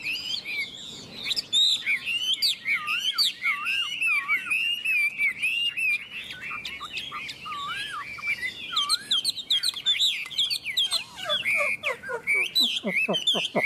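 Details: Two Chinese hwamei in a singing duel: long stretch of rich, wavering whistled phrases and rapid repeated notes, ending in a quick series of steep downward-sweeping whistles.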